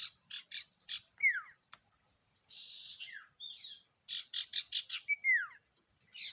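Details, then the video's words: Common iora (sirtu) in rich varied song used as a lure: bursts of sharp chirps, falling whistled slurs, a long buzzy note, then a rapid string of chirps ending in another downward whistle. "Burung sirtu gacor Variasi Isian Siulan Paling Mewah!"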